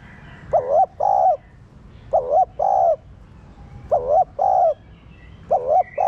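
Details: Spotted dove, a captive bird, cooing to stimulate other caged doves: paired low hooting notes around two-thirds of a second each, the first wavering, the second steady, repeated in four pairs, with faint higher chirps behind.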